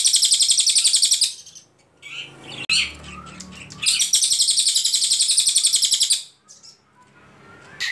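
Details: Ashy Tailorbird song as a tutor recording: long bursts of rapid, high, pulsed notes, repeated many times per second, broken by brief pauses with softer twittering between bursts.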